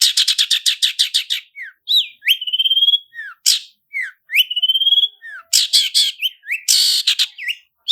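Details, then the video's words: Lure recording of a long-tailed shrike singing roll speed and roll tembak with full fill-ins: a fast string of harsh chirps, then long level whistles, downslurred notes and noisy chattering bursts. "SUARA CENDET ROLL SPEED DAN ROLL TEMBAK, PANCINGAN CENDET FULL ISIAN JERNIH"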